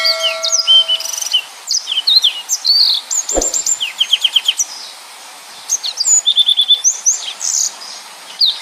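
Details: Kept yellow-fronted canary from Indonesia delivering a full, tightly packed 'nembak' style song: rapid varied chirps, sharp upslurs and rattling trills of repeated notes in fast bursts, nearly unbroken, with one brief low thump in the middle.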